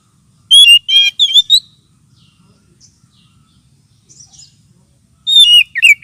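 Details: Oriental magpie-robin lure call, used to attract birds and as therapy for magpie-robins lacking aggression: a quick cluster of loud, slurred whistled notes with harsh edges, a long quiet gap, then another burst of sweeping, descending whistles.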